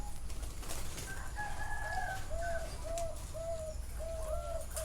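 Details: Zebra dove heard live at a bird farm in Chana, Thailand: a run of soft, low staccato coos repeated about every half second, with a faint higher chirp early on and steady low background rumble.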